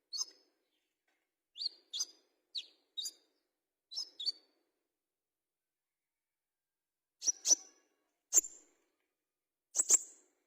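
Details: Olive-backed sunbird singing in fighter style: a series of thin, high chirps in pairs and short groups, then a pause of a few seconds before louder, sharper single and doubled notes, all separated by silence.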